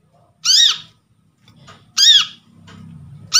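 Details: Brown-throated sunbird taken from a trapping session, played as a lure to get birds calling. Two strong arched ringing notes about one and a half seconds apart, a third starting, over a low rumbling hum.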